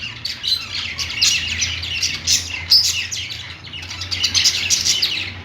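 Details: Pet budgerigars singing on a perch: dense chattering warble of rapid chirps and scratchy notes, continuous with brief louder squeaks, several birds overlapping.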